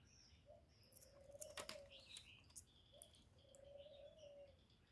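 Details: Decoy spotted dove calling to attract wild birds: two rounds of a quick low note followed by a long, level hooting coo, over high twittering from other small birds and a few sharp clicks.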